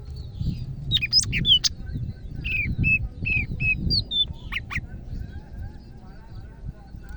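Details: Greater green leafbird from Medan singing actively, mixing sharp high chips, short repeated whistled notes and rising slurs in bursts, then trailing off, with low rumbling noise underneath.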